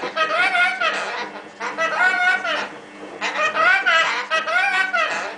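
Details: A pet lorikeet shouts at a washing machine indoors in loud, ringing, speech-like bursts about a second long, with short pauses between them.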